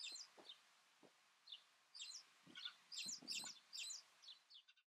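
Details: Trumpeter finch of subspecies amantum, Fuerteventura, Canary Islands, Spain, February 2007: clusters of short high chirping notes repeated irregularly, some doubled, mixed with soft low thuds in a quiet setting.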